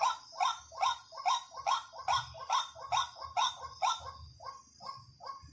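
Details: ["Decoy recording of a white-breasted waterhen used to lure birds: a rhythmic series of harsh, rising 'kwak' notes, about two and a half per second, fading slightly toward the end."]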